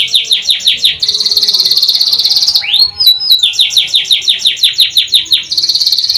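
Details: Canary song with fast repeated falling whistles, about six per second, broken by a sustained buzzy trill of over a second and a single rising swept note, then more rapid whistled series.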